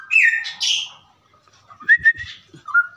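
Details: Straw-headed bulbul singing a ropelan song for tutoring other birds: a loud gurgling whistled burst, then a pause, then short mellow slurred notes with soft clicking in the background.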